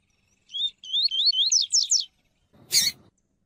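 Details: A female Double-collared Seedeater (Sporophila caerulescens), calling to stimulate a reluctant male, gives a quick run of high, slurred whistled notes lasting about a second and a half, then a brief harsh, noisy burst.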